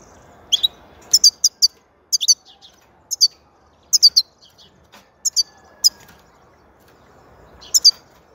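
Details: European goldfinch song of clustered high, liquid twittering notes in quick groups of two to four, repeated through the recording with short pauses and a quiet background.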